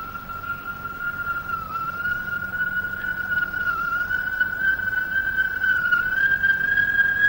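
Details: Two large hawk-cuckoos vie in pitch darkness deep in Malayan highland jungle, recorded late 1950s–early 1960s: a loud, ringing whistled call climbing slowly and steadily in pitch, with soft hiss from the old recording behind it.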